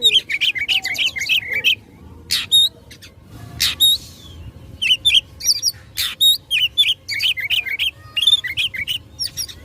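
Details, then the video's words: Oriental magpie-robin in fighting song meant to provoke rivals: rapid bursts of sharp whistled and buzzy notes, short rising hooks and harsh broadband rasps, delivered in quick irregular phrases. "Kacer Gacor tarung memicu emosi lawan"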